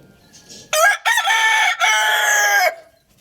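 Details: Rooster crowing loudly: a strident, harmonic-rich cock-a-doodle-doo in three linked segments, a short opening note, a brief pause, then a long sustained cry over about two seconds, ending abruptly; faint chirps before it.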